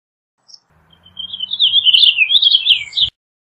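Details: Purple finch song opening with a faint note, then swelling into a flowing two-second warble of rising and falling notes, cut off by a brief click.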